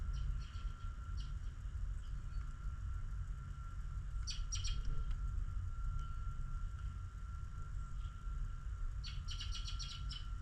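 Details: Birds in the snow at morning chirp in rapid bursts of high, twittering notes, faint at first, then a clustered flurry midway and a dense burst near the end, over a steady low rumble.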